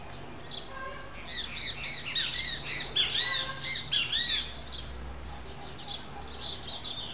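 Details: Common waxbill, locally called biquinho: bursts of high, squeaky chirps and twittering notes crowded into the middle seconds, followed by a few quieter, scattered chirps.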